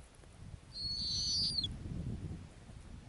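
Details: Snowy owl nesting on the ground in the Arctic utters a single high, sustained whistle of about a second, rising slightly, then falling sharply at the end, against low wind-like rumble.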